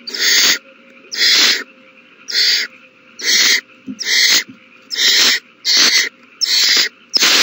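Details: Owl chicks at feeding time, recorded on 27 March 2020: nine harsh, breathy hissing bursts, each about half a second long, repeated roughly once a second against a faint steady hum.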